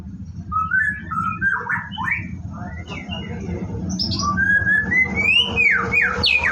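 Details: White-rumped shama at a bird farm, morning routine before bathing: short whistled phrases, then long, rising, sliding whistles and sharp high notes growing louder toward the end.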